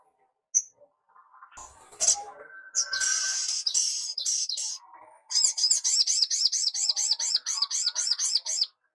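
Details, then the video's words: A crimson sunbird in very active song, used as a tutor recording for young sunbirds, gives mixed twittering and squeaky phrases, then a fast series of high, sharp, chipping notes, about four per second. "SOGOK ONTONG GACOR DOR"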